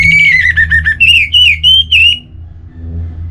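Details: Orange-headed thrush giving a smooth, slightly falling whistle that breaks into warbling, then several short rising and falling whistled phrases, with a steady low hum behind.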